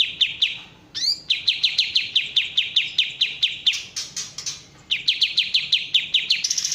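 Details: Kapas tembak bulbul in sustained fast chipping song: crisp, down-slurred notes strung in long bursts, broken by a quick rising slur and short gaps, clean background.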